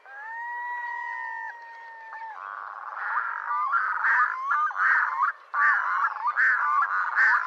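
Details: Red-throated diver calling: a long steady wail followed by rapid, repeated cackling notes growing louder toward the end.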